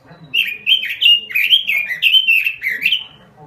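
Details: Lively robin lure song: about eight quick whistled notes, each sliding down then up, run together in a bright, slightly buzzy warble.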